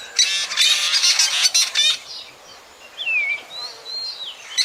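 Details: Drongo voice used to lure birds for night trapping, 2024: two seconds of loud, harsh, crackling chatter, then quieter whistled slurs dipping down and up, one clear falling note near the end.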